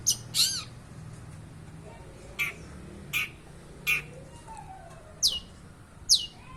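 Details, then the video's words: Long-tailed shrike, a mimic known as the bird of a thousand languages, giving sparse sharp high downslurred notes, a few loud calls spaced about a second apart over faint low background hum. "Cendet burung seribu bahasa"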